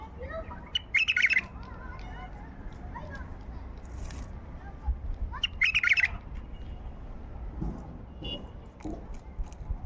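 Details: White-eared bulbul singing in the wild during hand trapping: two short, bright, bubbly warbled phrases about four seconds apart, with fainter chirps between and low background murmur and rumble.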